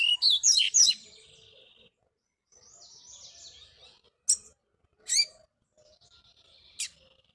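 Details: Tournament seedeater in a bush training session. A dense burst of loud, sharply slurred notes, a pause, a soft buzzy twitter, then isolated sharp downward strokes spaced about a second apart.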